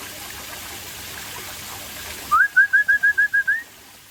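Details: Aceh-type white-rumped shama singing in the afternoon: after background hiss, a crisp series of seven or eight identical rising whistled notes, evenly spaced and slowly climbing in pitch.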